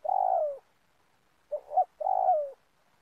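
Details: Spotted dove calling to lure birds for trapping in a community oil palm plantation: two long, mellow coos that slide downward, split by a short, stuttered double note, in a quiet setting.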